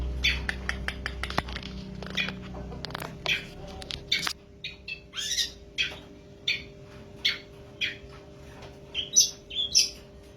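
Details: An albino long-tailed shrike sings a series of short, sharp chirps and squeaky notes, repeated roughly every half second in the second half, over a faint steady hum and some low background rumble.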